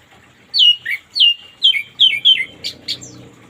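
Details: Orange-headed thrush in the morning, played as therapy to get a reluctant caged bird singing: loud whistled notes sliding down from high to lower pitch, repeated about every half second, ending in two sharp high chips.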